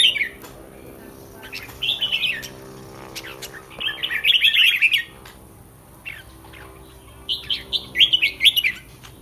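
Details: Red-whiskered bulbul kept in a cage and prepared for a singing contest the next day, giving clear warbled phrases of three to five quick liquid notes in separated bursts with quiet pauses between.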